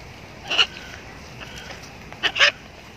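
A blue-and-yellow macaw gives two harsh, raucous squawks about two seconds apart, with quiet background between them.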